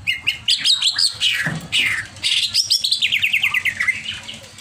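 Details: Agitated greater green leafbird pouring out loud, high twittering song: bright slurred notes and squeaks, then a fast rattling trill of rapid repeated chips that slowly descends in pitch.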